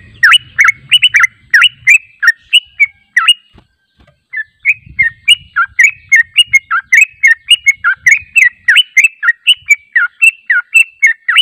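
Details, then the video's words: Yellow-vented bulbul singing, played as a lure so birds answer back: a long, bubbling series of loud slurred whistles, broken by a short pause and then resuming faster, with some faint low rumbling early on. "PANCINGAN TRUCUK JANGAN Di Ragukan Langsung Nyaut"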